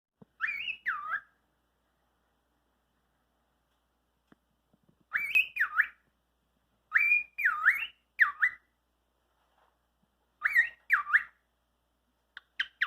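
A cockatiel repeats a short, whistly three-syllable phrase, mimicking human speech.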